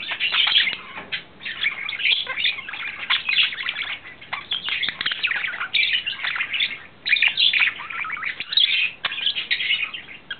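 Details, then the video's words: Courting male budgerigar, lovestruck, April 2009, pours out a long rambling warble: rapid scratchy chatter mixed with squeaky whistles and clicks, in phrases broken by brief quieter gaps. "Wellensittich-Männchen Timmy verliebt"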